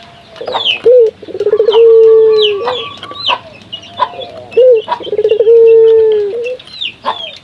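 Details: Indonesian local puter dove in full voice, a lure to set other doves calling: two low coos, each a brief rising note, a fast rattled stutter, then a long level tone slowly falling, amid high twittering birds.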